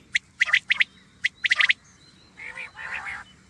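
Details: Short bright triplet pips of a common quail, a few phrases spaced apart, followed by a hoarse, buzzy churring sound over faint background hiss.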